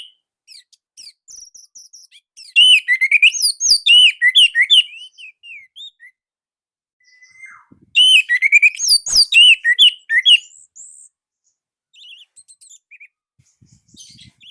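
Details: Indonesian orange-headed thrush with a distinctive, slightly tight and loud voice, delivering two bursts of fast, varied whistled song, each a few seconds long, full of slurred chirps and trills, separated by quieter scattered notes and pauses.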